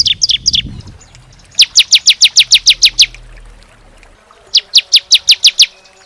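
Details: Bar-winged prinia (ciblek) call played as a lure to attract birds: a few short chips, then two even series of about eight loud, sharp, high notes, each note spaced roughly a fifth of a second apart, over faint low hum.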